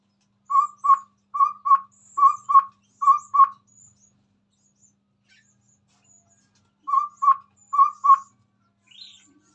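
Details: Chestnut-rumped babbler in full song close to a phone, giving low hollow hoots in quick pairs, about four pairs in a row, a pause of several seconds, then more paired hoots.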